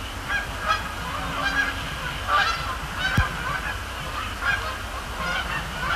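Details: Canada geese at night on Sapsucker Woods Pond in October, between fly-overs and splash-downs; intermittent honks roughly once a second, somewhat distant, over low rumble and faint water sounds.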